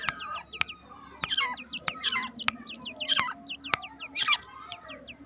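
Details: Black francolin chicks two months old, content when released into a home aviary: busy, overlapping high chirps and slurred peeps from several birds, punctuated by loud sharp clicks every half second or so.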